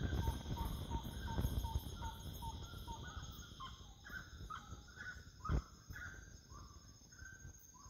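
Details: Wood rail calling at nightfall: a regular series of short, clipped notes that turn into a hoarser, rising-and-falling chorus. Low rumbling noise and a sharp thump are heard, with a steady insect hum behind.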